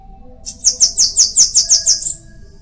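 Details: Sebinho or Bananaquit singing: a compact burst of high, wheezy pulses, roughly nine in a row, closing with a sharp upslurred note.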